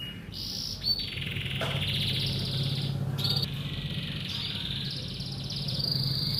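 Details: Male canary ready for breeding, kept as a hobby songbird, singing a continuous run of rapid rolling trills and high chattering phrases that change pitch, over a steady low hum.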